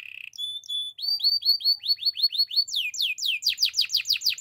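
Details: Spanish Timbrado canary delivering a brief buzzy note, a steady whistled tone, then accelerating series of rising chirps ending in loud, rapid, downward-swept trilled phrases.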